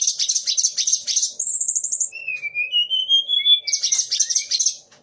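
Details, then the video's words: Sunda laughingthrush song holding the voices of magpie-robin, shama and orange-headed thrush. Dense high scratchy chatter frames a middle passage of long, smooth, slowly rising and falling whistles. "TLEDEKAN GUNUNG DENGAN TIGA RASA BURUNG"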